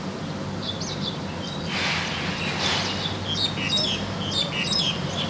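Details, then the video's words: Actively singing wild crested myna gives a run of high, squeaky, varied chirps and short whistles, loudest in the second half, against a constant low rumbling background. "Burung jalak hongkong liar gacor"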